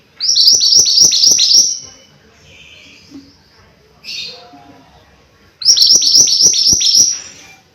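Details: Energetic mountain white-eye song: two bursts of rapid, high, sweet descending whistles repeated several times a second, separated by a pause with softer chirps and faint background sounds.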